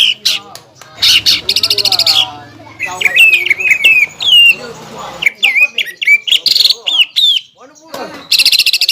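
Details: Greater green leafbird lure song, rich in imitated songs of other birds, used to anger an opposing leafbird; sharp chattering buzzes alternate with clear rising and falling whistles and quick ticking notes.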